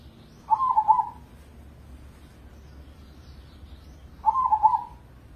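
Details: Crossing zebra dove, an Indonesian competition bird kept in a cage, sings two short, rapid, stuttering coo phrases almost four seconds apart. Each ends in a slightly longer note, with quiet hum between the phrases.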